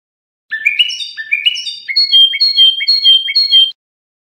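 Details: Iranian Lor-style European goldfinch training song for young songbirds: sliding twittered notes followed by a steady series of paired bright chips repeated about twice a second, on a clean background.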